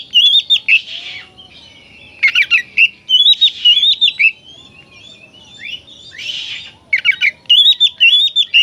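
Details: Oriental magpie-robin song meant to make other magpie-robins emotional and fan their tails: varied, loud whistled phrases in quick bursts, with rising and falling slurs and buzzy notes, repeated across several seconds with short pauses.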